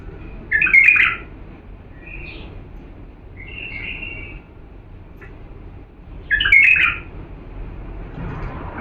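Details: Bulbul of the Diyala line giving clear song used to train young birds: two loud, fluty, warbling bursts about six seconds apart, with quieter whistles between them and faint low noise behind.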